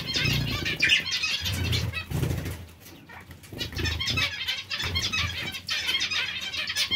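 A colony of zebra finches gives a dense chatter of short, nasal, high beeps, overlapping continuously, with soft low thumps of fluttering wings.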